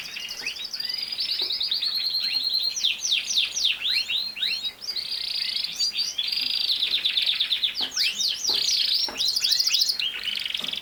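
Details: Singing canary delivering a long varied song: rapid trills, fast buzzy rolls and steep downward sweeps, shifting between phrases, with short high rattling bursts near the end.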